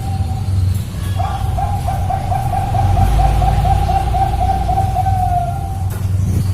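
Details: Zebra dove of the perkutut Bangkok type, its song used to get other birds singing: a steady trill of quick, soft cooing notes repeated on one pitch for several seconds over a low background hum.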